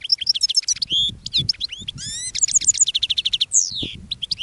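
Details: Caged European goldfinch calling to wild goldfinches feeding in thistles, a continuous bright twitter of liquid slurred whistles, quick chirps and a fast run of repeated high notes, over faint low background noise.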